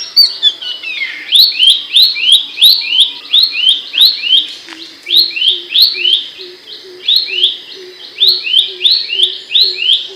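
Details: Loud, sharp song of Abbott's babbler for coaching songbirds: a rapid chain of clear descending chirps, about three per second, in long runs broken by short gaps, over a soft pulsing low hum.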